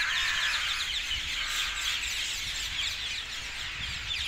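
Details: Dozens of parakeets gathered in trees south of Hackney Marshes, London, on 18 February 2021 keep up dense, continuous shrill overlapping screeches and chirps, with no pauses and no single voice standing out.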